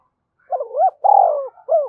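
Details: Spotted dove in rival-provoking song: a rising double coo, a long throbbing descending coo and a brief curled last note, with a faint higher note overhead.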